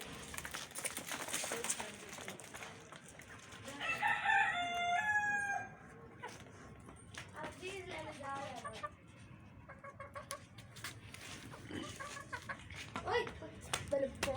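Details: Rooster kept with a family of hens crows once in a drawn-out, harmonically rich call of about a second and a half amid clucking, scattered clicks and a person talking in the background.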